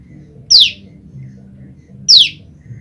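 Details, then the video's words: A female Olive-backed Tailorbird, separated from her mate, calls for him repeatedly, used to lure males: two sharp, high notes that slide steeply downward, spaced about one and a half seconds apart, over a faint low hum. "prenjak lumut betina memanggil pasangannya"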